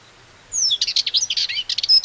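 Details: Sardinian warbler song from a reference recording; a rapid, scratchy chatter of high notes mixed with clear whistled slurs, starting after half a second of quiet and running to the end.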